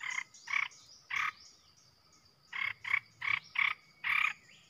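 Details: Red-whiskered bulbul decoy song meant to provoke rival bulbuls: three quick rich chattering notes, a pause of over a second, then a faster run of five similar bursts, over a quiet low hum.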